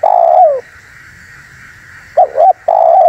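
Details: Spotted dove call for luring wild doves. A long falling coo ends one phrase, then after a pause come two short coos and the start of another long coo, over a faint steady hiss.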